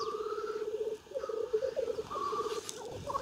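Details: Rapid pulsed bubbling phrases from black grouse on a lek at Klassino, Omsk region, Siberia, 2018, rising and falling in short rolling bursts with a higher overtone above.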